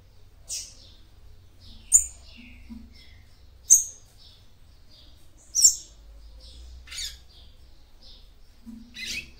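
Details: Female seedeater giving calls meant to stimulate the male: sharp high chirps roughly every one to two seconds, mixed with softer buzzy notes and a few faint low sounds, with a steady low background hum.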